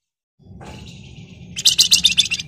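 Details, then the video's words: Excited Flamboyan in ngebren style, a song used to provoke other birds into singing: a faint high thin tone, then a loud, rapid, shrill stuttering burst of sharp notes near the end. "Burung Flamboyan Gacor Ngebren Rapat Nyerecet Emosi Cocok buat Pancingan"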